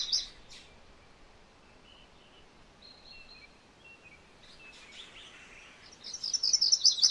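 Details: MacGillivray's warbler: a brief high burst at the start, then quiet background chirps and whistles, and finally a loud, rapid series of sharp, high song notes closing the clip.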